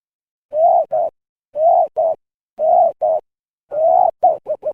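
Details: Spotted dove giving an abnormal call, possibly after eating something wrong: four hoarse cooing phrases, each a longer rough coo followed by a shorter one, roughly once a second, the last trailing into several quick clipped notes.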